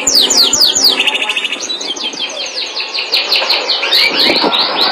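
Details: Melodious canary song: fast descending whistled sweeps, then rapid rolling trills and repeated chips, bright and high-pitched, continuing without pause.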